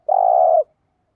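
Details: A single long, steady, hollow coo from a spotted dove used as a lure for wild birds, lasting about half a second, clean with no other sounds.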